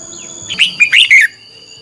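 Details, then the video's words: Decoy red-whiskered bulbul fighting song: a single brisk phrase of four or five bright, slurred, liquid notes lasting under a second. "Chào mào mồi hót đấu quá tuyệt!! - Luyện giọng Chào mào hót hay ép bổi sổ bọng và căng lửa"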